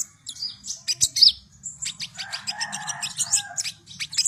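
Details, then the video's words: Javan white-eye song meant to prompt young birds into continuous singing: busy high twittering phrases and rapid chips throughout, with a softer lower warble midway and a steady low background hum. "SUARA BURUNG KONIN GACOR COCOK UNTUK PANCINGAN KONIN BAHAN AGAR CEPAT NGEROL"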